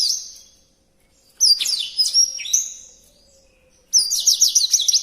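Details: Songbird song used as a master track for training other birds: high, sweet whistled notes and rapid slurred phrases in bursts, with a tumbling trill of quick notes near the end.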